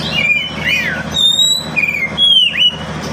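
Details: Oriental magpie-robin (kacer), a caged pet, singing as a lure for birds that will not sing: clear whistled notes, swooping downslurs and a long high steady whistle, separated by short gaps, faint hum beneath.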